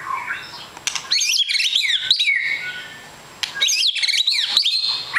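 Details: White-rumped shama with a long tail, billed as a super fighter. It gives two dense bursts of fast, high, swirling whistles and chatters, separated by a softer pause with a low trailing note.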